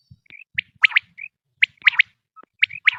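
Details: Quail recording used as a hunting lure: short, sharp, upward-sweeping notes in quick pairs and triplets, with brief level whistled notes between them. Faint low rumbles sit underneath.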